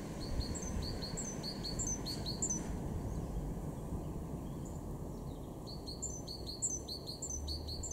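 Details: Garden great tit, Weener, East Frisia, far northwest Germany, March 2023, singing a bright high two-note motif repeated in quick series, a pause mid-way, then another run of the same phrases; constant low rumble underneath.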